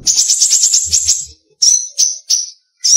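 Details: A Rote Myzomela (Myzomela irianawidodoae), a species described in 2017, in an aviary at a bird park in Indonesia, gives its dominant sharp call type: a rapid ringing trill for over a second, then four loud separate chips.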